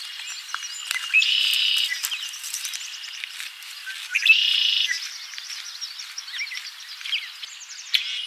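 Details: In Ottawa, Ohio, USA (8-5-2023), a Red-winged Blackbird gives two harsh, buzzy trilled bursts about three seconds apart, among scattered high chirps from other birds.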